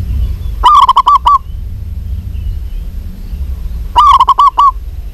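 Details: Local zebra dove, a female calling a male: two loud bursts of rapid, throaty cooing notes, each about three-quarters of a second long and about three seconds apart, over a steady low rumble of background noise.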